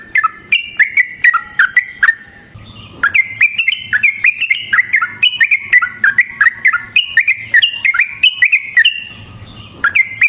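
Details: Yellow-vented bulbul delivering a long rolling lure song to draw replies from other bulbuls: quick liquid whistled notes in lively up-and-down phrases, a short break near two seconds, then an unbroken stream of chattering notes.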